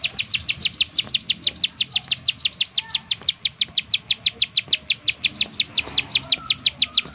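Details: Bar-winged prinia 'nembak' lure call for provoking prinias to sing: a long, even chain of sharp high downslurred notes, about five per second, clear against a quiet background.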